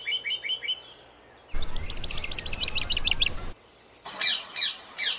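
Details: Wild rose-ringed parakeets in winter, a flock feeding on tree branches near homes and gardens; harsh chattering notes in quick bursts, a rapid series of about ten screeches, then three loud separate squawks.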